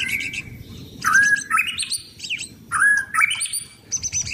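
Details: Sunbathing caged white-rumped shama of the blorok variety, prepared for singing contests, gives rich slurred whistles rising and falling, in bursts separated by brief pauses, with high twittering above.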